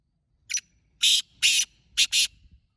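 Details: Black francolin calling: a harsh, grating phrase of five loud broadband bursts over about two seconds, a short first note, two longer strident notes, then a quick final pair, against a quiet background.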